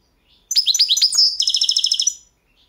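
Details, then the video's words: Balkan goldfinch in a 2022 song championship; rapid high twittering notes run into a steady buzzy trill of about a dozen fast repeated pulses, then stop cleanly. "Pesma štiglića 008/22 World Championship in Goldfinch Song"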